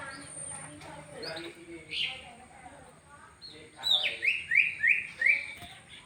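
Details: Pied (panda) canary alongside a yellow canary: soft scattered chirps, then a run of five bright, sharply falling whistled notes about a third of a second apart, over a faint hum.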